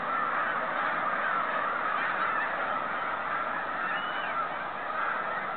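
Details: Migrating snow geese heading home, 2013: a continuous blended chorus of many honking birds, steady and unbroken throughout.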